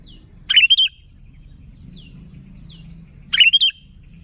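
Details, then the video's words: Sooty-headed bulbul singing, a recording meant for luring bulbuls; two quick warbled phrases of three notes, with soft faint downslurred chirps between them and low hum underneath. "Suara Burung Kutilang Gacor ASLI Tanpa isian, Ampuh untuk Pikat Kutilang"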